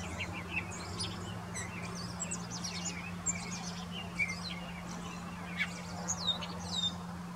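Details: A grey catbird sings from a branch in Desbarats, Ontario, about 15 m away: a rambling string of short, squeaky and scratchy phrases, each different from the last, over a steady low mechanical hum.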